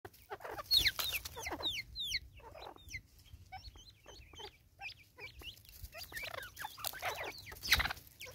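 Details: Angry female Natal spurfowl in South Africa, 2024, giving a harsh, raucous, cackling run of rapid rasping notes in dense bursts, with a loud peak near the start and another near the end.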